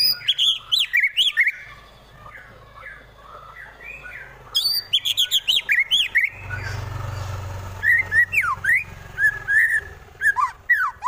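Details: Fighter white-rumped shama in Wonosobo, Central Java, delivering full harsh 'tembakan' song to goad rivals: bursts of rapid, varied whistled and chattering notes, a quieter stretch with low rumbling background, then sweeping downslurred whistles repeated in quick succession.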